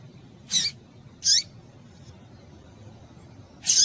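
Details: Female rusty-collared seedeater calling repeatedly, used to excite males into singing. Short, sharp, high chipping notes, three in under four seconds, with a steady low hum beneath.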